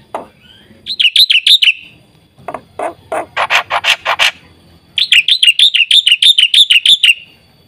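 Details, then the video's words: Black-winged myna (white starling), described as gacor with full isian, singing: a run of quick rising whistled notes, then a burst of harsh, buzzy rasping bursts, then another long string of rapid rising whistled notes, about three per second. "suara burung jalak putih gacor full isian"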